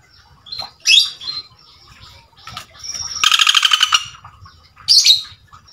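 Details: Common Flameback male calling a female. One rapid, dry rattle of evenly spaced notes lasts under a second. Before and after it come sharp high squeaky notes and a thin whistle.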